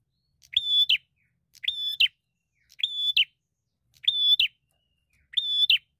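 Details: Bar-winged prinia fighter searching for a rival, giving five evenly spaced, piercing, level notes with a brief rising flick at the close, about once a second.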